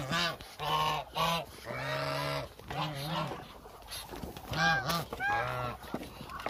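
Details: Muscovy ducks in a large hungry flock of roughly 1000 give loud, drawn-out nasal honks, some held and wavering, others short and clipped, overlapping with quieter calls in the background.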